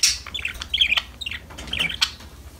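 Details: A few budgie chirps during play: short clusters of bright, slightly warbled notes separated by brief pauses, with a soft low hum underneath.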